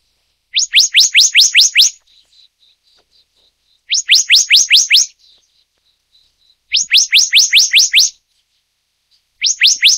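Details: Black-naped monarch, Taiwan's endemic subspecies Hypothymis azurea oberholseri. Bursts of about six bright, quickly rising whistled notes come every three seconds or so, with faint soft chips between the bursts and no other noticeable sounds.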